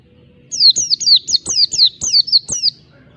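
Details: Agitated Oriental white-eye in ngalas (wild-type) song meant to provoke a rival, delivering a burst of about nine high, falling whistled notes in two seconds, then quiet.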